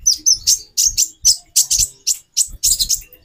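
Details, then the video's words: Female brown-throated sunbird giving its call to arouse a male: separate high, sharp chirps in pairs and small groups, repeated roughly every third of a second, with faint low knocks. "Burung Konin Betina 4x terapi birahi. menaikan birahi jantan"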